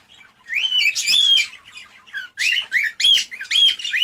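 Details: Cockatiel vocalizing to stimulate breeding. Sharp, rising whistled chirps come in about five loud bursts after a faint start, each note sliding upward and clear against a quiet background.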